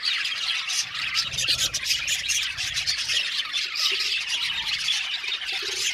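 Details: Many budgies in an aviary colony calling at once, producing steady high-pitched twittering and warbling that never pauses, with sharp chirps poking out of the busy chorus.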